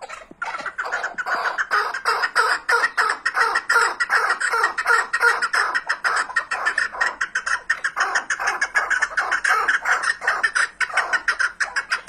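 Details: Loud chukar partridge calling: rapid, hoarse clucking notes, about three per second, running without pause through a long excited series.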